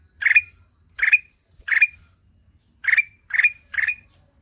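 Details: Six short, buzzy, nasal notes from a black-naped oriole, each ending in a slight upward flick. Two are spaced, then a pause, then three in quick succession.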